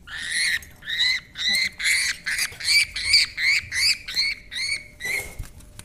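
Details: Household parrot playing near a baby, calling in a steady string of about a dozen short raspy squawks, roughly two per second, harsh and buzzy with layered overtones, in a quiet room.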